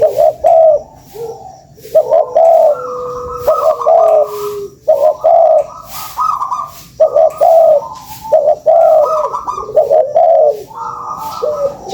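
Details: Spotted dove lure sound: a dense run of deep, rolling coo phrases, several voices overlapping and answering each other almost without pause for twelve seconds.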